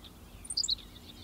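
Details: Henslow's sparrow singing on 19 June 2016 at Goose Lake Prairie State Natural Area, Illinois: a brief, high, insect-like two-part 'tsi-lick' hiccup under half a second, over faint background hiss.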